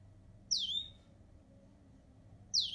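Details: Grey singing finch giving two high, thin whistled notes two seconds apart, each sliding sharply downward then levelling off, in an otherwise quiet setting.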